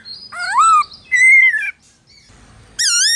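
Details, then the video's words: Black-throated laughingthrush forest-style song, used to stimulate captive birds: a few long, loud, slurred whistles separated by short quiet gaps, the last one rising sharply. "Khướu Hót giọng rừng"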